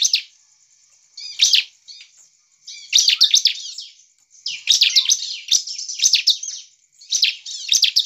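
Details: Bar-winged prinia singing vigorously to provoke rival prinias into song; short explosive bursts of high, scratchy chattering and rapid twittering notes, growing denser toward the end and separated by short gaps, with a steady faint high hiss behind.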